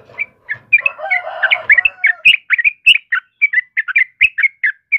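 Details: Gacor yellow-vented bulbul song used as master material for captive birds: a confused jumble of overlapping notes and rustling at first, then a rapid, even string of liquid chirps with faint clicks.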